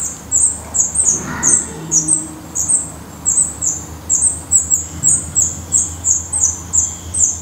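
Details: At a black redstart nest in Portugal, high-pitched squeaky calls repeat rapidly and steadily, almost three per second, over a faint low hum.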